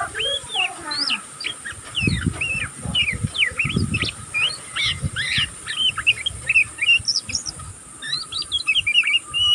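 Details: Young oriental magpie-robin still learning to sing, giving a continuous twittering: dense, unbroken run of short high whistled and scratchy notes, rising and falling, with low thumping bursts underneath around the middle.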